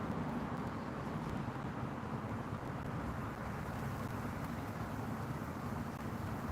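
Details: Continuous broad roar of distant traffic or aircraft on an evening patio, with no animal calls.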